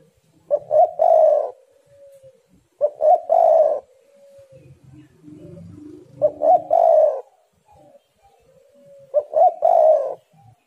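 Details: Spotted dove singing vigorously, doves challenging each other: four repeated phrases of short low hoots building into a rolling coo, spaced about three seconds apart, with soft low background rumbling between.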